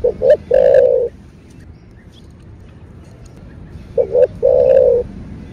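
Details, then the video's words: Spotted dove (cu gáy) cooing in the thổ bầu style, used to rouse caged birds: two phrases about four seconds apart, each two brief clipped notes followed by a long steady coo, with faint low background noise. "Cu gáy giọng thổ bầu GÁY GỌI + THÚC . Tiếng Chim Cu Gáy Kích Bổi"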